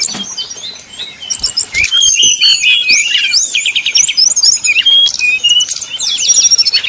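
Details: Lure song of a brown-chested jungle flycatcher, 'nyuling' style, meant to heat up rivals: dense high chattering with rising whistled strokes and short trilled bursts, nearly continuous.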